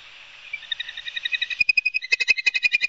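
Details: Ospreys at Barnegat Light, New Jersey, on a live nest camera, 5 September 2022 around 11:06, played at fast-forward speed: steady hiss, then a quickening run of sharp, whistled chirps repeated several times a second.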